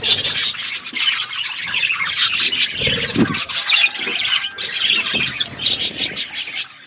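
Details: Budgerigars on a winter morning, a flock chattering nonstop: dense, overlapping high chirps, squeaks and warbling twitters, with short sharp clicks toward the end.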